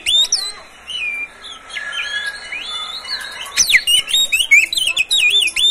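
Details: Privately owned caged Oriental magpie-robin, song offered to encourage other birds to sing morning, noon and evening; whistled phrases with drawn-out notes, then a lively stretch of zigzag warbles and sharp chips.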